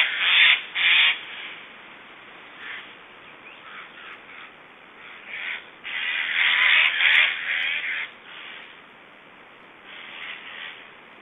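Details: Black storks at an Estonian nest during feeding, 1 July 2012, make strange sounds: harsh, wheezy rasping bursts at irregular intervals, with a longer run of hoarse, breathy calls partway through.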